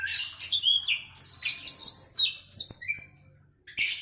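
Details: Oriental magpie-robin (kacer) song used to train captive birds, matched with a sooty-headed bulbul (kutilang): a flowing sequence of clear sliding whistles and quick chirps, then fading notes and a final short burst.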